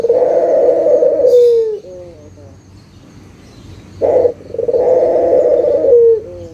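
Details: Local Barbary dove calling to stir silent birds into song: two long vibrating coos, each dropping in pitch at the close, separated by a short sharp burst and soft lingering tones.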